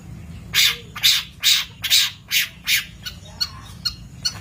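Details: Long-tailed shrike from a master recording for training birds, giving a steady run of harsh, scratchy squawks about twice per second, then softer, thinner notes toward the end over a low hum.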